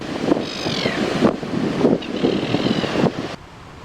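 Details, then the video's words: Common Terns in non-breeding plumage, resting at Punta Rasa on the Buenos Aires coast of Argentina, give two harsh, downslurred keeeyr calls of about half a second each over steady wind and surf. "Su vocalización suena de esta manera."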